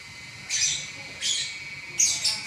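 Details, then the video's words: Champion lovebird singing: three short, harsh, high-pitched buzzy squawks, the last one doubled, separated by brief pauses over faint background hum. "Burung LoveBird Juara Nya Ngacor 11 Menit Enggak Berhenti"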